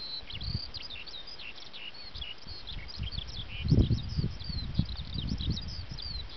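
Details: Eurasian skylark singing in open habitat, delivering a relentless high twittering of quick chirps, clipped trills and short whistled slurs, while gusty wind rumbles underneath.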